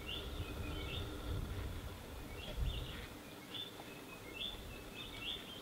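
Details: White-fronted bee-eaters at Luambe, where they nest in the Luangwa river banks: several birds give short rolling chirps together, repeated about every second, over a steady low rumble of wind or distant noise.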